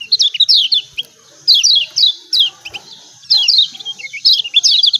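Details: Lombok yellow white-eye 'ciak ciak' lure call for sluggish birds: clusters of quick high descending chirps, three bursts separated by short silences, a faint steady high hiss behind.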